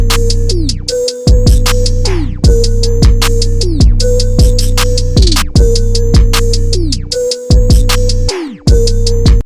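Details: Loud electronic dance music with heavy bass, drum machine beats and repeated synthesizer stabs, and no animal sound.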